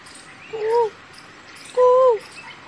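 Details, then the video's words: Asian koel calling: two clear, mellow whistled notes, each gently rising then dipping at the end, the second longer and louder, about a second apart over faint background clicking. "Koel Ki Awaz { The Kuku }"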